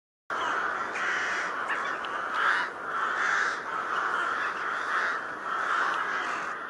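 A crow gives a steady run of harsh, hoarse caws, roughly one a second, over a constant hiss of background noise.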